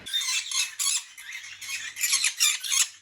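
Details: Pet green-cheeked conures chatting to each other, the so-called conure chorus: dense, continuous high-pitched chattering and squawky notes in rapid overlapping bursts, about three per second, in a small room.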